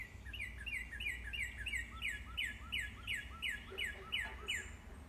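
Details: Northern cardinal singing in the morning: a steady run of about a dozen clear, downslurred whistled notes, roughly three per second, with a constant low rumble of background noise.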